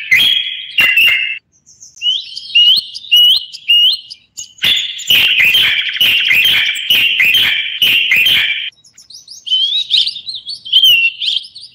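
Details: Moroccan bulbul (common bulbul) in song, delivering bright, high chirped phrases over nearly twelve seconds, with a long fast stretch of rapid notes mixed with sharp clicks.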